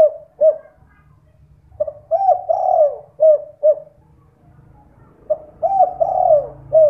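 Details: Spotted dove lure recording, played at night so that other doves answer. Soft low cooing phrases, a short coo followed by a longer drawn-out descending coo, repeated in groups with pauses, against a faint low hum.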